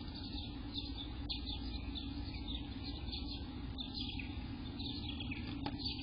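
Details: Eastern bluebird nestlings on day 18, recorded between 6 am and 1 pm on June 24, 2021, give a steady, raspy chatter of thin high notes in uneven bursts over a constant low hum.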